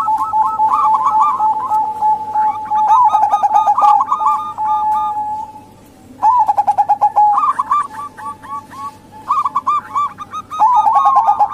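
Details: Local female zebra dove voice for luring male doves, wild or kept: long stretches of fast staccato cooing, bursts repeated several times with brief quiet gaps, a steady note running underneath.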